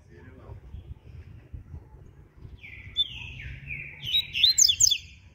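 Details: Double-collared seedeater at morning, opening with slurred, descending high whistles that lead into a fast, buzzy zigzag burst of the ziper song, over faint low background noise.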